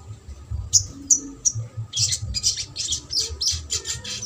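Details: Sogok ontong in trotol style, played to make quiet birds start singing. Three sharp separate high chirps are followed by a fast run of repeated shrill squeaky notes, roughly three each second.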